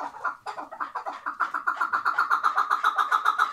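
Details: Short burst from a tethered chukar partridge in Şırnak, Turkey, starting with a few hesitant notes and then settling into an evenly spaced, accelerating chuk-chuk-chuk rattle at nearly four notes per second.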